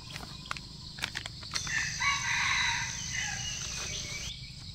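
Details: Red junglefowl lured by a female decoy while hunting: a few sharp clicks and rustles, then a long, slightly wavering crow of roughly two and a half seconds over a constant high-pitched insect hum.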